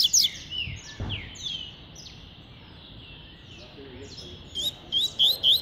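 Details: High sliding whistles open this double-collared seedeater's tui-tui song, followed by a quiet gap and a closing run of quick, bright, repeated notes.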